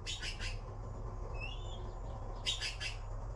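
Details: Baby blue magpies waiting for food give scratchy three-part bursts at the start and end, with a soft wavering whistle between them.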